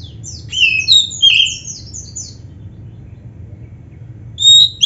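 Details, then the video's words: Song of a black-breasted oriental magpie-robin used to get caged birds singing: a fast cluster of high whistled and buzzy notes for two seconds, silence, then two loud clear whistles at the end. "SUARA BURUNG KACER MASTERAN ‼️ Stel Suara ini Biar GACOR | Pasti Nyaut Buka Ekor"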